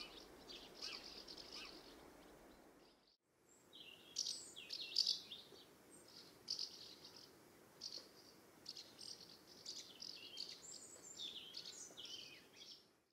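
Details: Common house martins calling as they fly around their nest site in the UK in summer; dry, chirruping twitters in short overlapping bursts fill most of the recording, with a brief silent break near three seconds.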